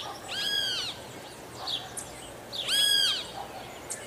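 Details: Guira cuckoo singing: two loud, arched, harmonic whistled notes about two seconds apart. Faint chirps from other birds sit in between, over light background hiss.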